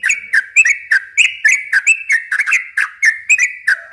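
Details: Yellow-vented bulbul song used as a lure for young birds, delivered as a long, continuous run of short, bright chattering notes, about four each second, with sharp high ticks above them and a faint low whistle near the end.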